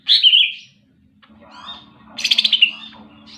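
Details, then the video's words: Greater green leafbird singing vigorously: a rich, rapidly trilled phrase sweeping down from high, a quiet pause with soft warbling, then a second bright buzzy burst of quick pulsed notes, over a low steady background hum. "burung cicak ijo super gacor"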